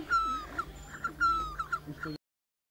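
Great barbet giving two plaintive, slurred whistles that fall in pitch, each trailed by shorter notes, over a faint low hum.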